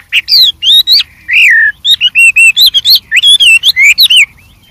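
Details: Wild white-rumped shama singing varied phrases: loud whistled notes with high overtones, a short slurred slide, then a fast sequence of bright twisting whistles.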